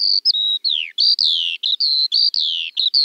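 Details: Eurasian skylark pouring out high whistled notes, several long falling slurs alternating with short steady chirps, sung without a break.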